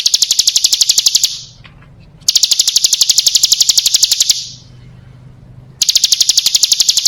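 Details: A calling female bar-winged prinia, ciblek gunung, serves as a lure for males. Three bursts of rapid, high, clicking notes at about four per second are split by short pauses with a faint low hum.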